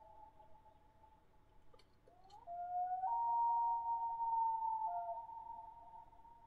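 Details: {'caption': 'Common loon calling with a soft sustained tone that climbs in two steps to a louder, higher pure note. The note holds with a slight dip before fading, with a faint click before the rise.'}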